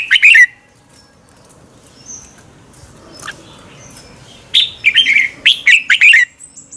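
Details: A morning contest song of a red-whiskered bulbul, used to train birds: a brief warbled burst, a quiet hissy gap with faint chips, then a longer run of rich, rolling whistled notes.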